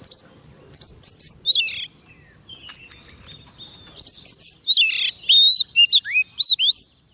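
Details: Singing White-rumped shama calling to wild birds: bright whistled notes and downward sweeps in clusters, a quieter gap with soft thin notes, then a strong run of rising whistles and slurred phrases.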